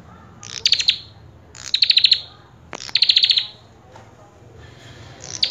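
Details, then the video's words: Common tailorbird in full, varied song: short bursts of rapid high clicking notes, about five to seven per burst, each burst ending in a brief trailing buzz, repeated roughly once a second, over a low background hum. "Prenjak Kepala Merah Gacor Full isian"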